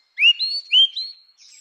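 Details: Grey-winged blackbird phrase of bright whistled notes, two stronger rising whistles followed by thinner high trailing notes, in a quiet natural setting.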